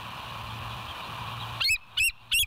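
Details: Bald eagle at the West End live nest cam, recorded 07/09/2023 at 06:24: a steady background rush, then three short high piping squeals in quick succession near the end.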